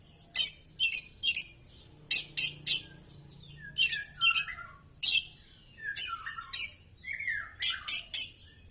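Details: Oriental magpie-robin singing during a fighting display with its tail spread, showing off its song repertoire: bursts of sharp, high, buzzy notes in quick pairs and triplets, mixed with lower slurred whistles and chattering phrases.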